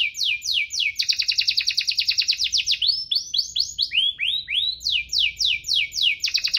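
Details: Lively canary song of the 'cuit-cuit ngerol' type, used to stimulate canaries reluctant to sing. Rapid falling sweeps lead into a dense rolling trill, then swooping upturned notes and more quick descending strokes.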